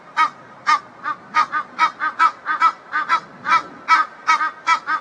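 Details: Backyard Egyptian geese, a reunited pair, exchanging calls; hoarse, nasal honks delivered in an uneven run, singles and doublets, about two per second.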